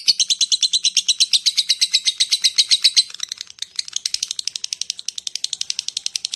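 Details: Lovebird calling to lure other lovebirds, a rapid series of shrill chattering chirps about four per second, a steady run for three seconds then quieter, denser twittering.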